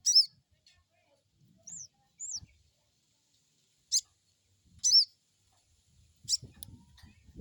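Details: Crested jay crecet crecet calls used to provoke an untrained bird into calling: loud layered chips alternate with thin arched high notes, and soft low knocks near the end.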